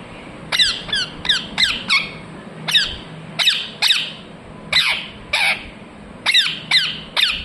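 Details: Parrot chirping indoors in a small room: a rapid series of loud, harsh, downward-sweeping squawks, about a dozen in quick bursts with brief pauses, bright and piercing over a low background hum.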